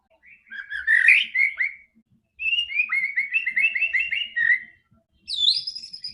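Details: White-rumped shama song used to prompt a quiet bird into singing: rich whistled phrases around mid-high pitch, warbled runs in bursts separated by short pauses, ending with a higher sweeping note.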